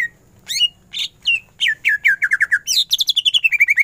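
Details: Greater green leafbird in vigorous ngentrok-style song with full bursts: a few loud swooping whistles, then a rapid run of descending slurred notes sliding into fast repeated chips, very rich and continuous.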